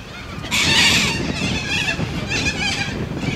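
Sulphur-crested cockatoo giving a loud, harsh, grating screech lasting about half a second, followed by rougher, quieter squawks over a low background rumble.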